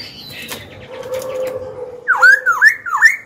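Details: A young Black-throated laughingthrush sings to challenge rivals and train young birds; after quiet background hum, three loud looping whistled notes rise and fall in quick succession.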